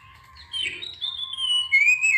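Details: Oriental magpie-robin song used as a lure to provoke other birds into singing: clear whistled notes around a slurred, wavering phrase that rises toward the end, over a steady low whistle-like tone.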